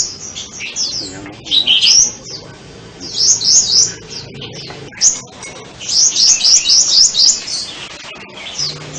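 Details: Sunbird singing: bursts of thin, high, sweeping twittered notes in quick runs, pausing between phrases, over a faint low background hum.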